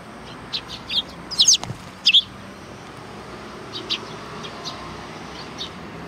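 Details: Sparrows at a Tenmangu shrine in Japan greeting arrivals, with an excited run of loud, high chirps between one and two seconds in, followed by fainter sporadic tweets and a faint hum.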